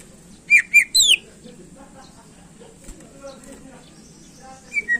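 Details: Greater green leafbird, song played to excite contest birds: three loud whistled notes and a sharp slur at the start, then near quiet with faint chatter, ending in two brief whistles.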